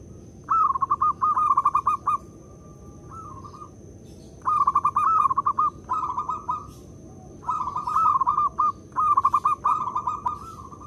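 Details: Local perkutut, the zebra dove, singing loudly as a lure to set other doves calling: repeated bursts of rapid stuttering coos at a steady mid pitch, each phrase ending in a longer held note, over faint background hiss.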